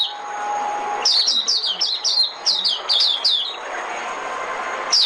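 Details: Oriental white-eye decoy song, used to lure birds for trapping: after a second of quiet hiss, a quick run of about ten high, thin, down-slurred whistled notes, then a pause and one more high note at the end.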